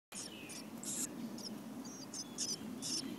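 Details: Almost-fledged chickadee nestlings in a backyard birdhouse give a chorus of high, hissy, rapid begging calls in short bursts, with a few thin whistled notes and a low steady background hum.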